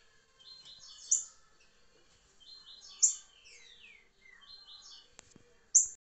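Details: Rufous-bellied thrush singing three whistled phrases of quick slurred notes with bright high peaks, separated by short pauses, plus a brief click near the end.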